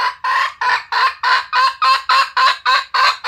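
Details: Red junglefowl giving a rapid, evenly spaced series of harsh, noisy clucks, about eleven in just over three seconds, each short and loud with a quick fade, with no other clear sounds.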